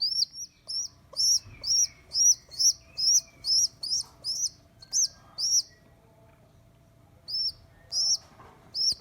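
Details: High-pitched squeaking from an abandoned baby rock pigeon rescued from a neighbour's roof, second day of care: a quick string of sharp arched peeps, then a silent gap, then a few more squeaks resuming.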